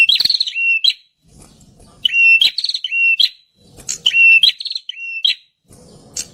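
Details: Prinia, known locally as perenjak, singing loudly. A recording used to lure wild birds. Repeated phrases of chirps run into an even whistled tone, with one phrase roughly every two seconds. Low murmuring noise fills the gaps.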